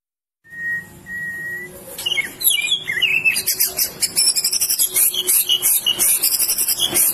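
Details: White-rumped shama of the Medan type, kept as a contest songbird, singing. Two clear, steady whistled notes open the song, then it breaks into loud, rich, rapidly changing phrases of sweeping whistles and sharp high notes. A voice speaks just after.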